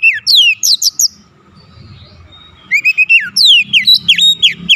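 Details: White-rumped shama song meant as a lure to provoke rival shamas into singing: rapid clusters of high, sweeping whistles and chips, a short lull, then a dense, energetic run of notes.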